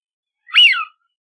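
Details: A Eurasian wigeon's brief, bright whistle that sweeps upward and then slides down, given once in quiet surroundings.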